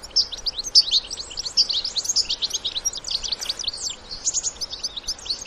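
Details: Wild European goldfinches, adults together with young, in nature: a continuous high, chattering twitter of quick slurred notes, sharp chips and short trills packed tightly, with lively overlapping phrases and no other clear sounds.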